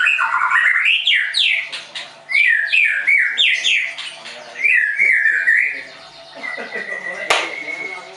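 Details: White-rumped shama of the Leuser type, a caged bird at a training school in Tangerang, Indonesia, singing rich varied phrases of clear whistled notes and fast rising and falling slurs, with brief pauses and one sharp click near the end.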